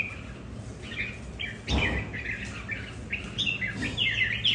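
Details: Territorial rivalry among home-kept red-whiskered bulbuls, each with a distinct temperament: a run of fluty, slurred warbles and chirps, with a brief broadband thump near the middle.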